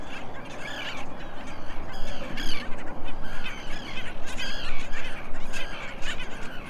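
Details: Black Skimmer family at Nickerson Beach, Long Island, New York, with parents feeding a chick a few days old: nasal, barking yaps in quick irregular bursts, several birds overlapping above steady wind or surf roar.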